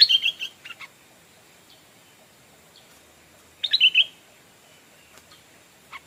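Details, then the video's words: Stripe-throated bulbul used as a decoy bird, calling to lure wild birds: two bursts of bright, slurred chirping notes about 3.5 seconds apart, each a quick run of rich whistled phrases, with faint scattered chips between and a quiet background. "เสียงนกต่อดอกแตงEp.87 นกต่อเจ้านำโชคเรียกนกแก่ป่า (Stripe-throated Bulbul)"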